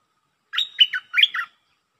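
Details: Red-whiskered bulbul in 'lak boen' singing: a single lively phrase of about four warbled notes that dip and rise, with a faint sustained tone running beneath, lasting about one second.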